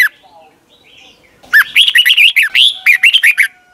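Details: Song of a caged Red-whiskered bulbul from Thailand, used as a daily model for young birds: after a quiet start, a lively two-second run of rapid, rolling whistled notes rising and falling.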